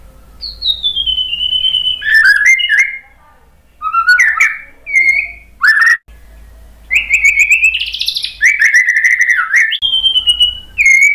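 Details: Murai batu (white-rumped shama) lure song for coaxing a quiet bird to sing: long, clear descending whistles broken by rapid chattering trills and squeaky notes, loud and almost continuous, with short pauses between phrases.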